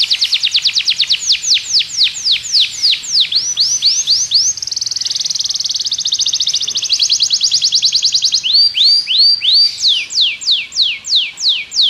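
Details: Belgian canary song used to train other canaries: fast falling sweeps, rising curved whistles, a long rapid trill of even notes, then slower arched and falling whistled notes.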